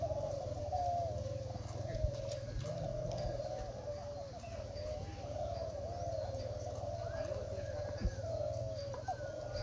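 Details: Crowd of spotted doves singing at a klantan-class contest held at Gunung Kembar, East Lombok, 2021; many soft, bubbling coos overlap steadily over a constant low hum, with little talking.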